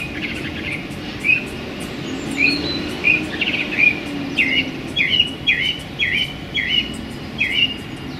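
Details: Song thrush in a small London park on a sunny January day: varied high notes build into a string of similar looping whistled phrases, repeated about every half second, over steady low city hum.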